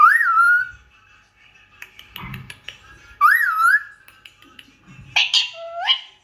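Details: Indian ringneck parakeet whistling a clear rising-then-falling phrase twice, about three seconds apart, with soft clicks between and squawky notes at the end.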